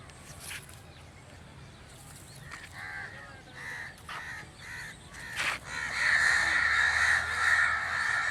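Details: {'text': 'Crow giving a short series of hoarse caws, faint at first, followed by a louder, drawn-out harsh calling over steady background noise.'}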